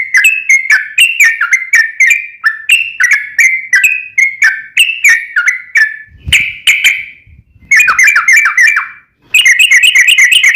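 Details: Long, rolling song of a sooty-headed bulbul, played to coax a caged bird into replying: a fast string of short fluty whistles that rise and fall, with a brief pause, a low rustle, then denser chattering bursts.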